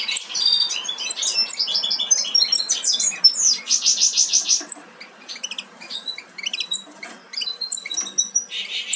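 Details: Young European goldfinches close to leaving the nest make a dense chorus of overlapping high chirps and buzzy squeaks, loud at first and quieter midway before picking up again.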